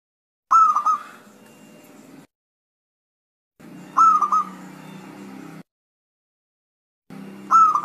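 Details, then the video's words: Zebra dove calling to provoke other doves into answering: three separate bursts of quick bubbling coos, each a rapid run of notes fading out, spaced a few seconds apart with silent gaps between. "perkutut males bunyi langsung nyaut"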